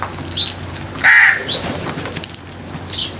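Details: Crow giving a single loud, harsh, rasping caw near the middle, with thin high chirps from smaller birds before and after it.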